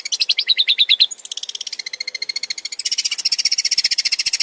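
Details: Male long-tailed shrike singing energetically with many variations: a rapid rattling series of high, buzzy notes, first dipping phrases, then a denser, sharper trill pouring out about three per second, sustained and even.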